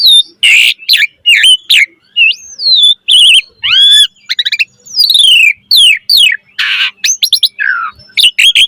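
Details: Puffed-up Asian pied starling in varied, lively song, switching among scratchy noisy bursts, swooping whistles, and rapid stuttering clicks across a continuous, busy phrase.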